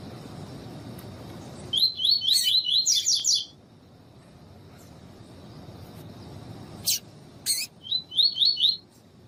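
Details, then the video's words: Female Double-collared seedeater calls used for training males and warming them up for tournaments: two bursts of rapid, high, sharp chirps in quick series, separated by a pause with a few isolated clicks, over low background hiss. "PIADO DE FÊMEA DE COLEIRO"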